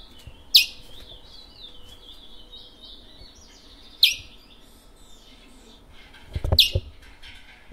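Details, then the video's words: Caged chestnut-bellied seed finch (picolette), kept since 1986, singing a rare Matiti regional song style in French Guiana each morning. It gives three sharp, high notes, each trailing into a thin warbled phrase, separated by pauses of several seconds, with a faint low rumble. "picolette curio regional matiti local guyane française"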